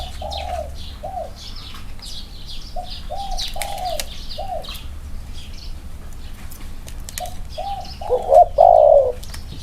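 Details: Spotted doves, two males compared for their inner-circle cooing style: soft, low coos spaced about a second apart, ending in a louder, fuller coo, over a background of small birds chirping and a brief wing flutter.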